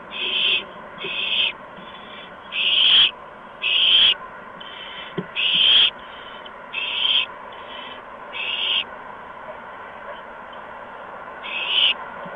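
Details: Owlets in a nest being brought food by adult owls, a mouse and a gopher, on an evening of 13 March 2015 around 8 PM; harsh, hissy screech bursts of about half a second, repeated irregularly around ten times.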